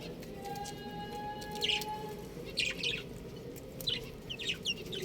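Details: Baby chickens, buff-coloured, give scattered high descending peeps in small clusters every second or so, with a faint steady low whistle-like tone early on.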